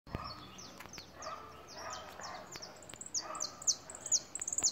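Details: A European goldfinch singing while in moult: a bright, tinkling twitter of high, quick notes, with sharp repeated chips about twice a second toward the end.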